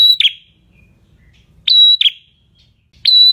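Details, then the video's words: Clear prinia song in the semi-active ngalun style, meant as tutoring material for kept birds: shrill steady whistles, each followed by a quick dropping note, repeated with short gaps, over a faint low hum. "MASTERAN Prenjak Semi Gacor Suara Ngalun"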